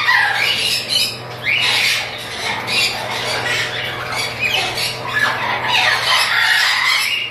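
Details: Harsh chattering squawks from a chattering lory breeding pair, fast and uneven, some notes sweeping downward, with a low hum throughout.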